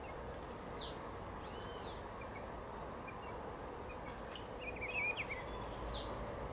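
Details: Blue-black grassquit singing two high, sharp, downward-sweeping buzzy notes about five seconds apart, with faint softer chirps from other birds in between and steady outdoor background noise.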